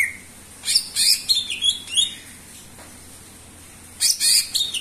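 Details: Greater green leafbird in full, persistent song, used to draw out other birds. Loud, rapid bursts of high, jumbled twittering and sharp notes come in two clusters separated by a quiet pause.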